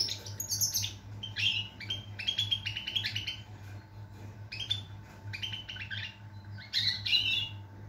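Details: European goldfinch singing a rapid, liquid series of chattering notes and short buzzy trills, repeated phrases with a few gaps, low steady hum underneath.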